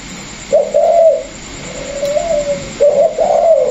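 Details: A captive spotted dove kept as a decoy bird gives low, mellow coos in two phrases about two seconds apart, each a short note followed by a longer drawn-out one, in a quiet room.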